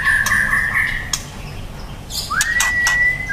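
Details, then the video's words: White-rumped shama, a young bird, holds a long flat whistle for about a second, pauses amid clicking and rattling noises, then gives a swooping upward whistle that levels into another sustained note. "Murai batu trotol prospek"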